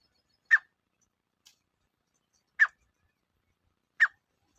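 Grey partridge giving three short, harsh, rasping notes at uneven intervals of about one and a half to two seconds, with a fainter note between them.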